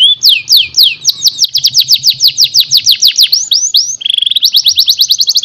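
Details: Canary master song for young canaries: a long series of quick down-slurred notes accelerating into a rolling trill, a brief flat whistle, then a very fast, even trill of tiny repeated notes.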